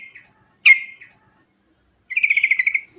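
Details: Sooty-headed bulbul delivering a rolling song: a brief trill end, one loud sharp chirp fading into a buzzy tail, silence, then a quick pulsed trill of about ten notes dropping slightly in pitch.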